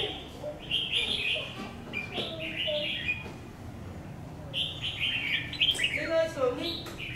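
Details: Red-whiskered bulbul, a new decoy bird under test, gives repeated short, lively warbled phrases, chattering and slurred, in bursts through the recording, with low murmuring voices underneath.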